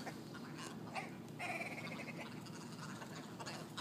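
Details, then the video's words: Large flock of ptarmigan squabbling on a town street in Yellowknife, Northwest Territories; harsh, nasal, quacking calls in short bursts, one drawn-out buzzy note near the middle, over steady low background hiss. "Squabbling ptarmigan"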